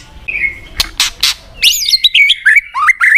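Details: White-rumped shama (murai batu), a popular caged songbird, in a lure recording meant to rouse a listless bird into a fighter: a few sharp clicking bursts, then loud clear whistled phrases of rising and falling slurs, repeated in quick succession.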